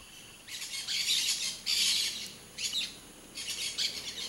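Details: Blaze-winged parakeet, a rare bird, giving harsh, raspy, high screeching bursts in quick series, about five noisy outbursts of varying length, some overlapping as if several birds call together.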